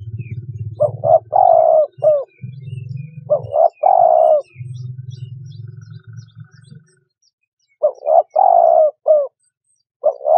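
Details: Spotted dove giving deep, rounded coo phrases, short notes then a long one, repeated several times over a steady low humming drone that stops partway through.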